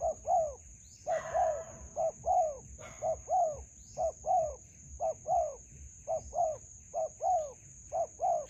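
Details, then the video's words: Spotted dove heard while trapping with a decoy in a melaleuca grove: steady repeated coo phrases, a clipped note and a longer downward-curving coo, a short rustle early on, shrill insect whine throughout. "Bẫy Cu gáy vườn tràm .gặp bổi tố chất"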